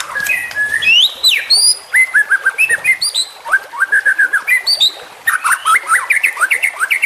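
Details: White-rumped shama in trotolan song, used for training: fast runs of short clipped whistles and chips, with upward-flicking notes and a brief pause near the middle before a fresh rapid burst.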